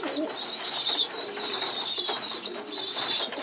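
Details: Pigeon youngsters moved onto the floor for group feeding, inside a loft: a steady high, squeaky wheezing chorus runs throughout, with soft low coo-like murmurs underneath.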